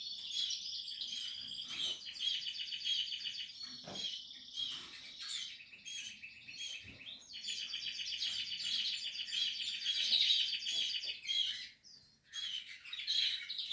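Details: Portuguese harlequin canary during nest building, delivering a long continuous song of rapid high trills and warbled notes, with a brief break near the end before it resumes.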